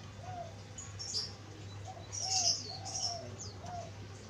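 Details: Spotted dove kept as a lure for wild doves, giving soft, low, arched coos repeated several times, while sharp high chirps from other small birds and a steady low hum fill the background.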